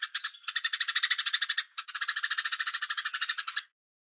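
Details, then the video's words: Velvet-fronted nuthatch song in the cigun gereja style, recorded as a distant sound with pauses: harsh, rapid chattering notes roughly eight a second, broken by a brief gap mid-phrase, then resuming before ending in silence. "MASTER Pelatuk beras Cigun Gereja Jeda Suara Jauh"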